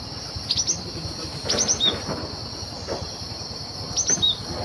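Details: Wild cinereous tit whose calls serve as a lure for trapping birds: two short phrases of high, sharp chirps about two and a half seconds apart, with a constant shrill insect drone and scattered clicks behind.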